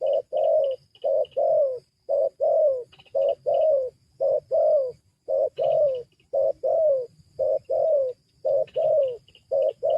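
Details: Wild-dove lure of a spotted dove: steady, rapid paired coos, a clipped note then a longer downward-sliding one, about ten pairs in ten seconds, while small birds chirp faintly in the distance.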